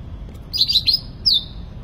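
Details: Sooty-headed bulbul (cucak ranting) in full song: a quick cluster of high chirpy whistles, then a single clear note that slides down and levels off, over a low background hum.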